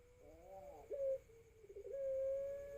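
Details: Learning call of a young Pelung dove aged 4 to 5 months, captured on an Oppo phone: quiet quavering rising murmur, a short loud hoot, a lower steady note and a stretched, even, mellow coo at the end.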